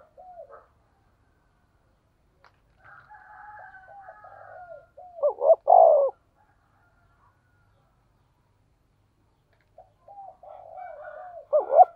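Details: Spotted dove calling in the 'thổ sấm' thunder-voice style used to lure wild doves: soft, wavering low cooing runs up to two loud, clipped coo bursts, with long quiet gaps between phrases.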